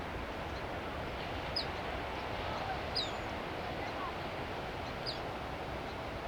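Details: Black phoebe perched on an arroyo willow at Asilomar Dunes, California, giving its sharp whistled call: three high, down-slurred chips about one and a half to two seconds apart over a steady rushing background of wind or water.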